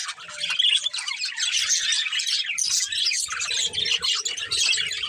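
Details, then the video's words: Breeding pair of budgerigars chattering in a continuous high, scratchy warble with occasional squawky notes, soft low rumbles in the background. "Cute Colourful Budgies Chirping Sounds"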